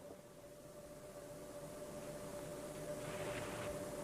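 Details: Low rumbling noise with a steady humming tone, slowly growing louder, and no animal calls.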